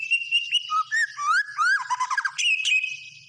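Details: Lively white-rumped shama song, a steady whistle giving way to fast, tumbling slurred notes that sweep up and down, ending in a bright, high flourish.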